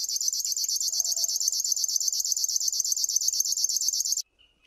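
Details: River warbler song: a dry, rhythmic mechanical buzzing, insect-like, pulses repeated almost three times a second in a steady stream for four seconds, then stopping abruptly. A faint lower sound is heard briefly.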